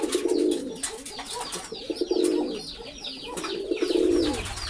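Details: Three deep, rolling pigeon coos arrive about every second and a half, each a rich burbling phrase, with thin chirps and twitters from other birds filling the gaps.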